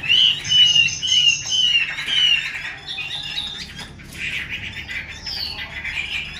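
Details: Female Chinese hwamei (Garrulax canorus) gives harsh, scratchy squawking calls mixed with short bright whistled notes, about two a second, fairly high-pitched and close.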